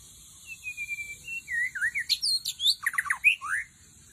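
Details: Forest lure song of a white-rumped shama: a thin, drawn-out whistle, then rising and falling whistled notes leading into a fast burst of sweeping, slurred phrases, loud and clear against a constant high insect hiss.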